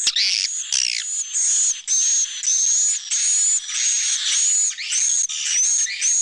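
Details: Swiftlets' roosting call meant to make the birds feel safe, with sounds from young to adult birds: long, almost continuous raspy buzzing bursts with a thin high whistle running through them, separated by brief gaps.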